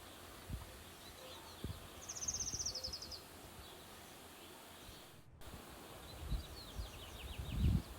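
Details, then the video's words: A white-eye in Southern California gives a quick run of thin, high chirps that slide slightly downward, then fainter chirps later, over steady low outdoor rumble and rustling. "White-eye bird's chirping sounds 綠繡眼"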